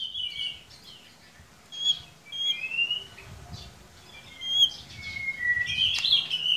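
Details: White-rumped shama song used to coax a reluctant young bird into singing: scattered clear whistles and short rising slurs over a steady background hiss.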